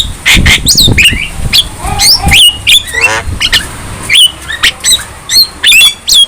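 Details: Javan myna, young and vocal, giving squawks, bent whistles and a buzzy rattle, the notes spaced in short bursts toward the end.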